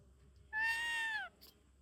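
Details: Parrot giving one drawn-out, tonal, slightly falling call lasting under a second, richly harmonic, over a quiet background with faint low hum.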